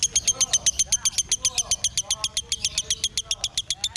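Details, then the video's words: A 'konslet' lovebird, praised for its extreme voice, gives a steady stream of piercing high clicks, roughly seven a second, machine-like and even, over faint lower warbling notes. "LOVEBIRD KONSLET"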